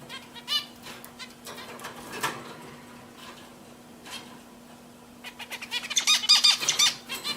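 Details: Pet zebra finches, first giving scattered nasal calls, then breaking into a fast, buzzy, chattering song burst in the final two seconds, over a soft low hum.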